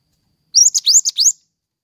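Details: Pied triller in loud, full song, offered as tutor audio for training songbirds and for luring: a rapid burst of five high, sharply rising slurred notes within under a second, clean with no background sound.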